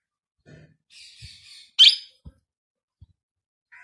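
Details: A newly acquired pet Indian ringneck parakeet gives soft, buzzy chattering notes, then one loud, harsh, rising-then-falling screech, followed by a few faint clicks in a quiet room.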